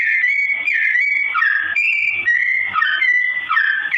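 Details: Sooty-headed bulbul, slow-tone song meant for training straw-headed bulbuls; clear whistled notes that dip and rise in short linked phrases, running without break.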